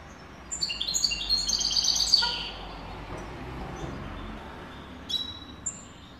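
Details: European goldfinch, a caged tutor bird, giving a fast high twittering burst of tinkling notes, then a pause with a few scattered thin notes later.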